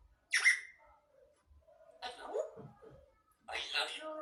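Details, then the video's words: Grey parrot talking indoors: a sharp whistled note followed by garbled, speech-like syllables and a raspy, voice-like phrase at the end. "grey parrot talking"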